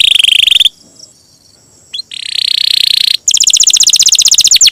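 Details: Singing champion canary with a long roll, a master recording for tutoring songbirds: a buzzy high trill breaks off into near silence, then a sustained rattling roll and a quick, evenly pulsed bright trill.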